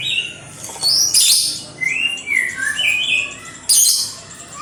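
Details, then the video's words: {'text': 'Song of the kapas tembak, or white-eared sibia: smooth whistled notes arching up then down, with two abrupt harsh high bursts and a quieter hissing background.'} "Suara original burung kapas tembak"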